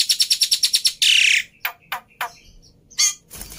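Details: Black-winged myna, singing freely and used to trigger song in quiet mynas: a quick string of eight sharp high notes, a loud harsh screech, then scattered rasping bursts separated by pauses.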